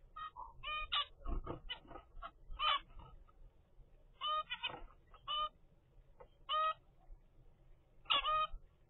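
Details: A 25-day-old zebra finch youngster from a pair's first brood in captivity gives rapid clusters of nasal, honking calls in bursts. Quiet pauses of a second or more separate the bursts, and a low rumble sits underneath.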